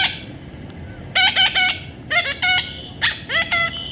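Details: Young parrot producing grouped harsh, ringing squawks, three or four per group, repeated several times in under four seconds over faint background noise.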